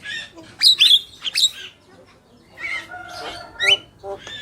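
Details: Black-winged myna pair, male and female, giving sharp squawks and slurred whistles in short bursts, separated by a quiet gap and a few softer, scratchy notes.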